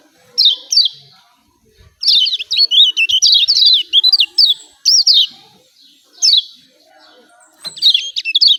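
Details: Yellow white-eye of Lombok, a 'ciak ciak' call played to stir a quiet bird into song: scattered high chirps, then a busy chattering run of sliding notes, pauses, and further short bursts.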